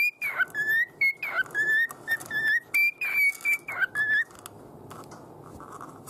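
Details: A pet cockatiel whistles its own heavily arranged take on the children's tune Hato Poppo. A run of pure, steady whistled notes alternates between two or three pitches, then stops, leaving soft room noise.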